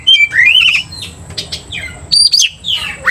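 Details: Kacer, or Oriental magpie-robin, singing energetically to goad a rival: a rising whistled slur into a wavering phrase, then scattered downslurred whistles and sharp high notes over a soft low hum.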